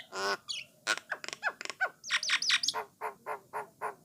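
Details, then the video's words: Starling called Jalak Nias or Jalak Coklat sings to stir other starlings into song, mixing a harsh opening burst, clicks, squeaky rising notes and a steady run of short nasal calls. "Merdunya Kicauan Burung Jalak Nias / Jalak Coklat, Memancing Jalak Lain Supaya Rajin Bunyi."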